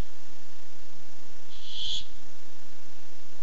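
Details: Barn owl coming by looking for food, nest camera, 8 July 2015: a single drawn-out hoarse hiss of about half a second over a steady quiet background.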